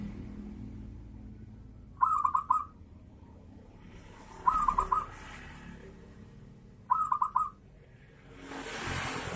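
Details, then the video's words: Zebra dove "kerot" cooing, used to lure other, less-aroused zebra doves into singing: short bursts of rapid, staccato cooing notes about every two and a half seconds, with a hiss of passing traffic rising at the end. "SUARA MEMANCING PERKUTUT IKUT GACOR || PERKUTUT KEROT NGAYER"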